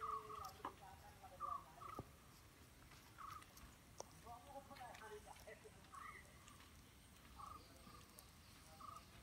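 A Brown-headed Barbet gives short, low, throaty notes, repeated every second or two, over faint background chirps and clicks.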